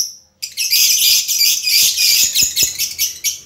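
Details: A lovebird pours out continuous shrill, scratchy chattering after a brief quiet start, with fast twitters and squeaky notes running without a break.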